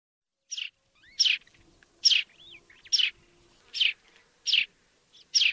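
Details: Sparrow in Africa giving short, bright chirps at a steady pace, about one every second, each a quick downward-sliding note, with a couple of faint thin whistles between them over a quiet background.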